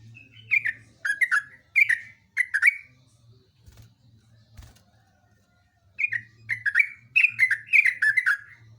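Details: Yellow-vented bulbul singing energetic gacor-style song in long runs: bursts of bright, bubbly whistled notes dropping in pitch, a pause of about three seconds, then a second run of rapid chattering phrases; faint low hum underneath.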